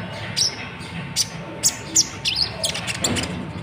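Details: Natuna konin singing its typical song, used as a tutor recording for training other birds: short, sharp, high chirps and twitters in scattered bursts over a steady background hum.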